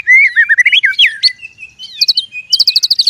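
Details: Forest fight between white-rumped shamas: rich warbling whistles sliding up and down, a held thin note, then clusters of very high sharp chips repeated quickly.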